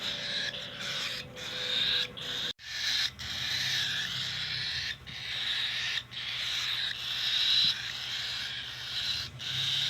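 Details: Cockatiel under hand feeding producing an almost unbroken, hoarse, hissing begging call with brief pauses and slight swells in loudness; a short knock near the start and a low hum.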